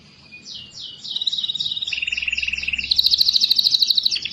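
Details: Canary song used to stimulate lazy canaries to sing: rapid repeated trills of high notes, shifting from descending swept notes to a low steady trill, then a bright high rattling trill, about three notes per second.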